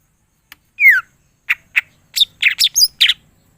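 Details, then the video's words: Greater green leafbird with one long, falling, buzzy slurred whistle, followed by a series of short, sharp chips and clipped notes given in quick succession. The setting is otherwise quiet. "cucak ijo mana saja akan ikutan bunyi dan gacor dengar c ijo ini bongkar full isian"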